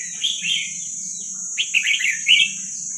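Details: Red-whiskered bulbul, a wild Vietnamese young bird used for training young birds, sings soft slurred notes, then a livelier bubbling phrase of quick chirps. A steady high whine and a faint low hum continue throughout.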